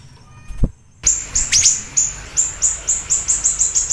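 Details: Siri-siri bird song used as a lure and training recording for kept birds: very high, thin chip notes repeated in a steady series that speeds up toward the end. A soft thump comes before the song, over faint background noise.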